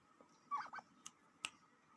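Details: Duck indoors after taking a bath, giving a short run of soft, nasal chattering notes, followed by two sharp clicks or taps in the room.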